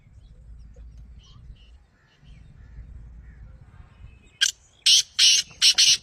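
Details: Black francolin call meant to set a captive partridge calling: after four seconds of low background rumble, a rapid series of four or five harsh, rasping, broadband notes.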